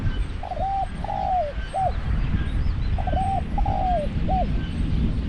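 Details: Caged decoy spotted dove luring a wild dove gives two clear mellow coo phrases, each a short note, a longer downslurred croo and a clipped final note, against low background rumble.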